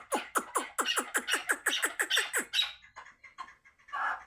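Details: Chukar partridge from Qabodiyon district, Tajikistan: a fast, rhythmic volley of about fifteen loud, downward-sweeping chuck notes, roughly four per second, then fainter scattered notes and a final muffled burst.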